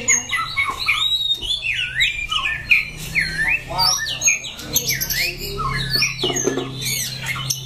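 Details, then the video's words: White-rumped shama, Dak Lak, September 2015: loud looping whistled phrases that swoop down and rise again, repeated, interspersed with sharp chips and high notes over a steady low hum. "Chòe lửa Daklak 09/2015"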